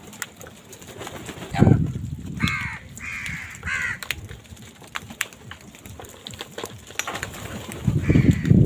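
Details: Crows contending with wild birds for food give a short burst of three or four rough caws, followed by a fainter single caw, amid low rumbling outdoor noise and thumps.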